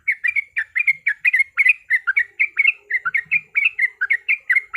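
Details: Fighting-song lure of a yellow-vented bulbul: a clean sequence of bubbly, slurred notes in paired and tripled bursts, about two per second, with only faint low sounds behind.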